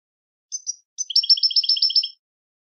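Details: Goldfinch song starts with two short high notes, then a quick, evenly repeated twittering trill lasting about a second.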